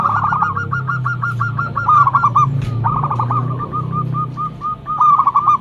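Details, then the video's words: Local zebra dove singing loudly as a lure bird: long strings of quick, even, whistled notes, slowing and spacing out near the end, over a low rumbling background. "Perkutut lokal gacor mental bagus suara NYARING pikat super"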